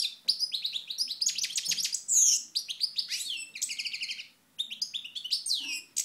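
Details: European goldfinch, Moknine, 2012, singing a rapid, loud twittering song of bright chirps and slurred notes, with short liquid trills and a brief pause near the end; the background is otherwise quiet.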